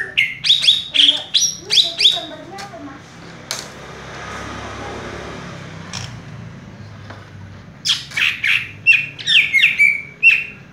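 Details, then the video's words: Caged green leafbird, cucak ijo, in "raja tembak" song from one spot: sharp rapid high notes, a long middle stretch of soft hiss and background noise, then fresh fast whistled bursts. "cucak ijo " raja tembak ""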